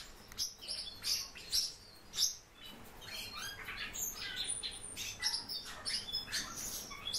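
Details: Kept Japanese white-eye giving a run of high, thin chirps and short sweeping notes, several quick notes per second early on, then softer twittering, over a low steady hum.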